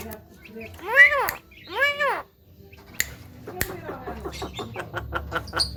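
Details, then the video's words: Talking Javan myna calling to rile up other mynas: two loud, drawn-out arched notes with rich harmonics, a brief silence, then sharp clicks and soft ticking notes. "PANCINGAN SUARA KHAS JALAK KEBO PANDAI BICARA BIKIN JALAK LAIN EMOSI"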